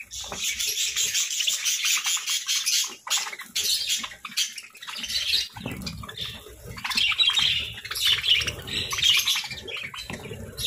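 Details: Lively parakeet chatter with rapid squeaky chirps and harsher squawk-like notes, loud throughout with a short dip near three seconds, while soft flutter and rustle sit underneath.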